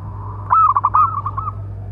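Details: Local zebra dove with a big voice, its calling song used to lure and train other doves: a loud, quick burst of staccato cooing notes that trails off into softer coos over a faint low hum.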